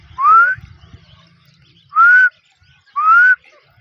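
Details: Female grey francolin of the Deccani type calling three loud, clear whistled notes, each rising slightly in pitch and lasting under half a second, spaced about a second apart over faint low background noise.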